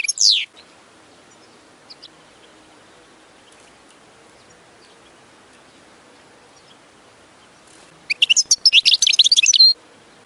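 A goldfinch gives one high, falling note, a few faint chips, then a fast, bright burst of tinkling twitters near the end. Otherwise the recording is quiet.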